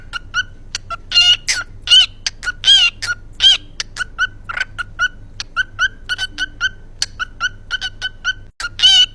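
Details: A yellow lovebird delivers a steady stream of sweet 'kuki kuki' chirps, about one every second. Bright clicky notes alternate with longer warbled phrases over a faint low hum.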